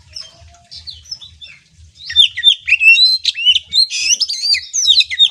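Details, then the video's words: Oriental magpie-robin (kacer) song played to train a young bird's nerve: rich whistled and scratchy phrases, rising and falling, loud and varied over about three seconds after a quieter start, with faint low thumps beneath. "Melatih mental kacer TROTOLAN dengan suara ini"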